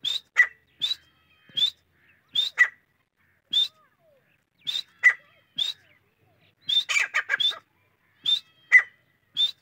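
A grey francolin gives loud, harsh, repeated calls, short ringing notes in pairs and triplets every second or so, with a busier burst midway.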